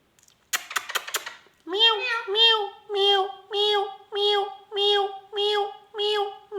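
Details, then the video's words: Rose-ringed parakeet imitating a cat, repeating nasal meow-like calls about once a second, eight in a row, after a few sharp clicks. "talking heavan beutyfull magical ringneck"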